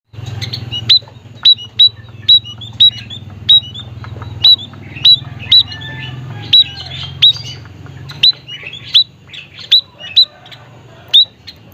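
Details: White-headed munia (emprit haji), heard calling busily: short, thin, high upslurred notes repeated at irregular intervals of about half a second to a second, over a steady low hum.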